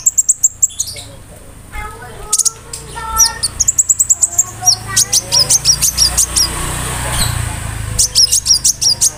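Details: Konin bird producing imitative song including cricket sounds, meant to train other songbirds; long series of sharp, very high clicking chirps repeated about three per second, broken by lower whistled notes.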